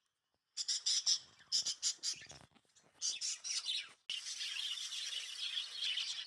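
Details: Lovebirds at night, around sleeping time, give harsh, high squawks in quick bursts, then settle into a dense, continuous chatter.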